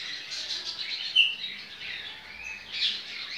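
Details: Double-collared seedeater (coleiro baiano), a captive breeder's bird, singing Ciclone-style on 23/11/2019: quick high twittering phrases with a sharp squeaky note near the middle and a louder burst near the end.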